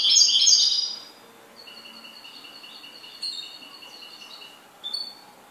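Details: A goldfinch opens with a loud, buzzy twittering burst, then settles into a long, even series of thin, rapidly repeated ringing notes, broken by a couple of sharp chirps.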